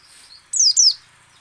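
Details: White-eye song used to prompt other white-eyes to sing, in ngecal, ngalas and nembak styles: two sharp, high, thin notes sliding downward in quick succession, each about a fifth of a second, then quiet.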